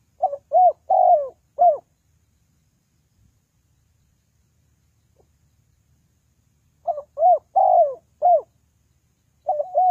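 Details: Spotted dove lure call for bird trapping: a four-note hollow cooing phrase, then about five seconds of near silence, then the same phrase again, starting to repeat at the end.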